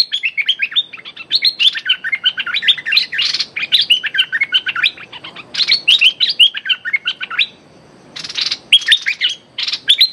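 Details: Decoy streak-eared bulbul calling at a captive young female during bird trapping. Long, dense runs of bouncy whistled chirps with occasional harsh rasping bursts and a short silent gap near the end.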